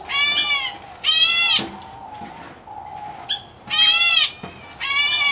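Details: White-headed black bulbul chick, a subspecies from the Indian area, kept in an aviary; loud harsh rasping calls each about half a second long, given in repeated bursts, over a faint steady tone.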